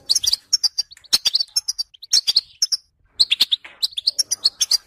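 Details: European goldfinch singing a lively twittering song of rapid high, tinkling notes and short buzzy trills, delivered in bursts separated by brief pauses, with a sharp chirp at the start.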